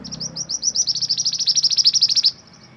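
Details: Mantenan gunung bird singing, recorded as a master song for training and therapy of songbirds: a fast, high trill of about twenty sharp, repeated notes that grows louder, then stops abruptly.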